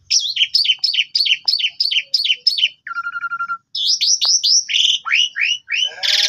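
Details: Asian pied starling (jalak suren) lively full song used as a lure to make a silent bird answer: a run of seven quick descending whistled notes, a short low buzzy rattle, then varied rising and falling whistles, ending in a harsh burst.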